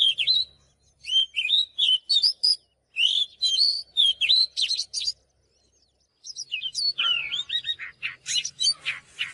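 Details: Oriental magpie-robin training song with varied clear whistles and quick chattering notes. After a pause a second bout brings louder, more scratchy phrases, with a faint low hum underneath.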